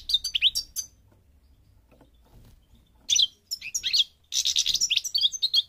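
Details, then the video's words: European goldfinch of North African parva stock from Morocco giving a short twittering phrase, a quiet gap, then renewed bursts of sharp chirps and a buzzy rattling passage. "The Goldfinch's Song North Africa - Parva Morocco Bird Song"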